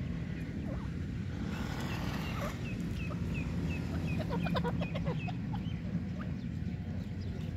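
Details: Black francolin, labelled as a female's voice, giving a run of short, sharp, clipped notes, a couple each second, over a steady low rumble like a distant engine.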